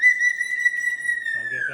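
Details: Pet sulphur-crested cockatoo being blow-dried indoors, giving a steady sustained pure whistle held on one pitch, dropping slightly at the end as a soft voice begins beneath.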